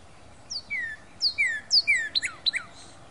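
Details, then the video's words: Late February 2012 song of a Northern cardinal: three loud falling whistled phrases, then a few rapid sharp chip-like downslurs, with a quiet backdrop. "Cardinal Singing Late February 2012"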